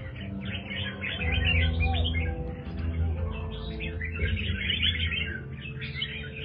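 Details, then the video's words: Caged red-whiskered bulbul of the 'Do Thái' line, recently bathed, singing a dense run of quick chirpy, warbling phrases in a rapid jumbled stream, with steady background music throughout. "chào mào Do Thái"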